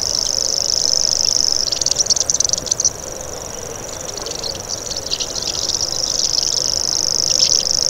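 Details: Common grasshopper warbler reeling in a high, cricket-like buzz that breaks off after two seconds amid other birds' twittering, then resumes and strengthens toward the end.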